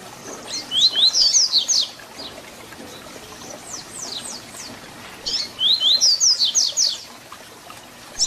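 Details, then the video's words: Tui Tui Zel Zel fibra tutor song of a papa-capim (double-collared seedeater) for teaching young birds. Two loud phrases of rapid high whistles, each about a second long, are separated by softer slurred notes. "Papacapim Tui Tui Zel Zel Canto FIBRA para Encarte!!!"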